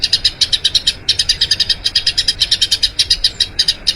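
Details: Eurasian tree sparrow in a long rolling song for training other birds, heard as crisp, evenly spaced high chirps of about eight per second, slightly uneven in loudness.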